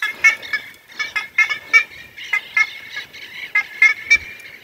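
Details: Black-faced Ibises, turkey-sized birds found on rooftops everywhere in Valdivia, Chile, in May, give loud, nasal, honking croaks like a gull mixed with a donkey, in quick overlapping bursts of two to three calls per second.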